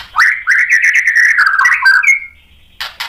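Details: White-rumped shama singing after provocation by a rival, a long warbled phrase wavering around the middle, then a thin rising whistle and two harsh rasping bursts.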